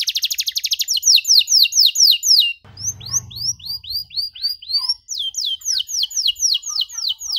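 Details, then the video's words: Canary singing the loud, long cengkok mewah song meant for teaching young canaries: a very fast trill, then slower rising chirps over a brief low rumble, then quick repeated notes again. "KENARI GACOR DORR NEMBAK PANJANG, CENGKOK MEWAH COCOK BUAT KENARI MUDA BELAJAR BUNYI"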